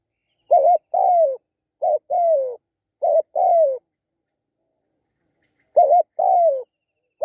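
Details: Spotted dove repeats its two-note coo three times. After a silence of about two seconds it starts again, each phrase finishing in a soft, falling slide.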